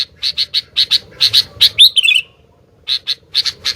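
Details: Sooty-headed bulbul in full song. Quick bright notes come in pairs, then a squealing, twisting phrase drops in pitch. After a short pause the brisk chipping resumes over a steady low hum.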